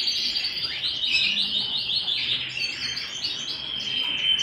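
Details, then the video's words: A canary singing at home delivers quick rolling trills, each phrase a rapid series of high chirps, flowing into a long even warble. "canary singing at home"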